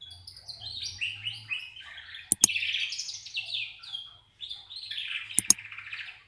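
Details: Belgian canary delivering its original song: rolling, warbled phrases and fast trills in rapid runs, with a brief pause and two sharp clicks. Faint low hum underneath.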